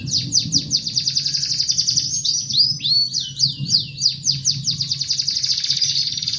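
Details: Lively canary song to encourage a quiet bird to sing: rapid high repeated notes, a few swooping whistled slurs in the middle, then a long even trill of quick chips.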